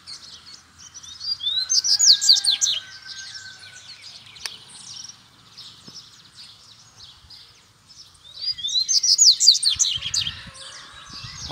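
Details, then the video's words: Double-collared seedeaters, wild birds about a metre from a caged one, calling each other to fight. Two loud bursts of rapid, high twittering and sweeping notes, separated by several seconds of quieter background with faint other sounds. "2 COLEIRO SOLTO E O MEU COLEIRO CHAMANDO PRA BRIGA"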